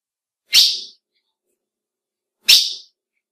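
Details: A female ultramarine grosbeak gives two clean, high, explosive chip notes two seconds apart, a call said to excite males; nothing else is heard.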